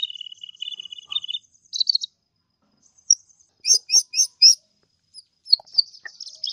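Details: Kolibri ninja sunbird singing actively for tutoring other birds: a rapid thin trill, a buzzy burst, then four strong evenly spaced chirps and more twittering.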